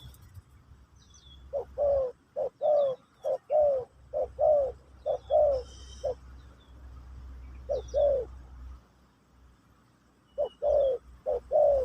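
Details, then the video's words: Terkukur, or spotted dove, in pesom/kacuk style, heard in a session for teaching a new bird: clusters of short soft coos about once a second, a pause, then more coos, with faint high twitters behind. "Burung Terkukur Pesom/Kacuk...Sesi Mengajar Burung Baru"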